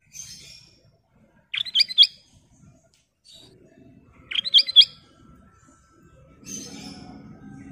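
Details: Golden sooty-headed bulbul giving two quick, jumbled bursts of liquid whistled notes about three seconds apart, framed by softer buzzy chatter and a low hum rising near the end.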